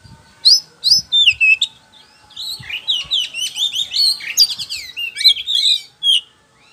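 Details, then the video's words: Loud lure song of a poci-form oriental magpie-robin, played to get other birds to reply: a few sharp whistled notes, then a long, lively stream of varied chirps and twitters repeated in quick succession. "PANCINGAN KACER POCI GACOR NGEPLONG"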